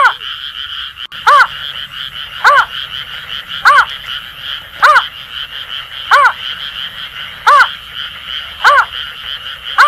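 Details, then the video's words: Greater Painted-snipe calling at night: soft, hollow hooting notes, one about every 1.2 seconds, over a steady shrill chorus of Asian Grass Frogs and insects. "Tiếng chim Nhát hoa gọi trống"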